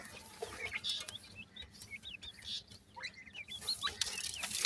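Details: Grey francolin chicks in Pakistan giving thin, high, rising and falling peeping notes in short bursts, against a noisy background with rustling and clicks.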